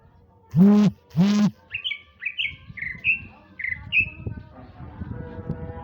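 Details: Male greater green leafbird from Sumatra singing in the afternoon: two loud, low, harsh blasts open the clip, then a string of high, clear, down-slurred whistles, with softer noises behind.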